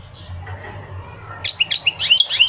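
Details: Goldfinch singing: after a second and a half of low hum, a quick burst of high, bright twittering notes begins, each note a short rising-and-falling chirp, growing denser toward the end.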